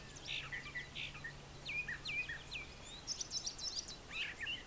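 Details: Brown thrasher singing in the morning near brushy nesting areas on a farm yard; varied phrases of short slurred notes and harsh chips around two to four kilohertz, with faint steady low hum in the background.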